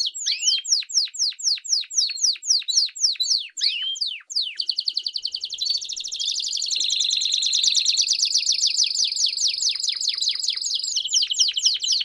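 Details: Campainha canary song with piados for training young canaries: a series of sharp descending notes about four per second, then a long, sustained, ringing high trill.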